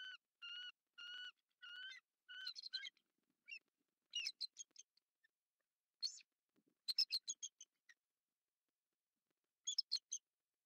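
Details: Bald eagle at its southwest Florida nest at night during incubation, on 25 November 2023. Three clear whistled notes are followed by sharp chips, after which scattered clicks and rustling are heard.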